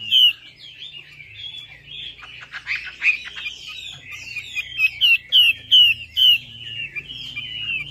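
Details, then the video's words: Chinese hwamei (Garrulax canorus) song used as a lure for hwameis that have stopped singing: a loud, varied song of rich whistled phrases and quick sweeping notes, with several strong repeated slurs near the end. "PANCINGAN WAMBI MACET"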